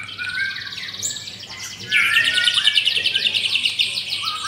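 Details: White-rumped shama kept in a cage, one of four, giving a short whistled note and then a fast, even, high trill of rapidly repeated notes, the 'pastol' style burst; recorded 9 June.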